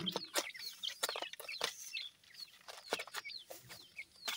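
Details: Feeding grey francolin chicks, a week old, give high thin peeps and short downslurs, loosely repeated, over rapid tapping and scraping noises.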